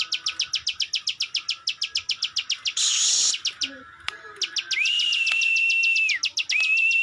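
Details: Klik klik bird, or ciwah, in full song: a rapid run of sharp high clicks about four per second, a brief hissy burst, then long flat whistles with a ticking texture; soft lower chirps in the background.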